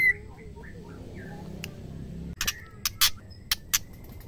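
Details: Female white-rumped shama, whose voice is used to provoke males to sing: soft rising and falling whistled notes first, then a series of hard, explosive chip notes spaced unevenly over the last two seconds.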